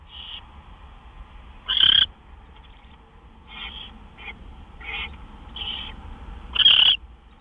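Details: Owl at the nest after midnight on March 26, with gopher deliveries; two loud, short, high calls stand out among several faint, softer notes of similar pitch.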